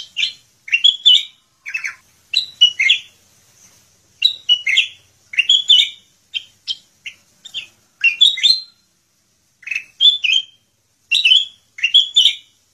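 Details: Kutilang emas bulbul in extended active song, full of varied fill-in phrases: bursts of chirps, slurs and whistled notes in quick clusters over nearly thirteen seconds, short gaps between groups.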